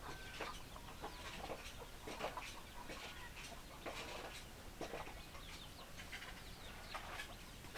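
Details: Chicken flock with scattered, abrupt clucks and harsher broadband bursts at uneven intervals, mixed with high twittering of other birds and a constant noisy background.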